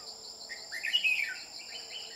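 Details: Red-whiskered bulbul during trapping with a decoy bird, bell-like voice: one loud warbled phrase of whistled notes sliding downward, with fainter chirps after it and a continuous shrill insect hum behind.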